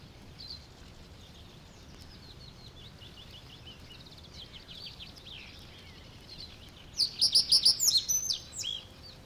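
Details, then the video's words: Reed Bunting in the Matsalu reed beds, a 1979 field recording: a busy, soft chorus of distant reed birds chattering and ticking, then near the end a loud, close phrase of rapid, repeated high chipping notes. "Reed Bunting"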